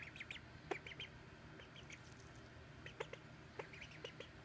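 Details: Ducklings peeping: short high chirps in quick bursts, some rising, scattered through the clip over a steady background hiss.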